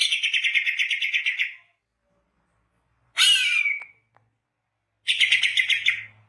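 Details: Greater green leafbird singing continuously as a trapping lure: a rapid buzzy trill, a harsh falling squawk-like phrase, then another quick rattling trill, separated by silences.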